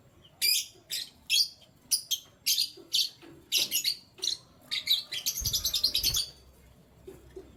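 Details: Canary singing in the morning: a string of sharp, high chirps about every half second, then a fast rattling trill, closing with a few scattered chirps over a faint low hum.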